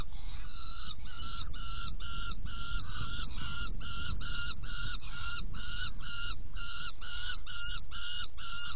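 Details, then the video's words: Feeding at a saker falcon nest box on 17 June 2018 at 10:31. Around twenty loud, grating, nasal notes are repeated steadily, about two to three per second, over a faint low hum. "Kerecsen fészekdoboz 2018.06.17. 10:31 etetés"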